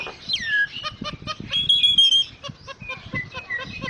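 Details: Jalak Nias, the common myna, in a full-isian song: a falling whistle, a high sustained whistled note, and scattered chirps and clicks.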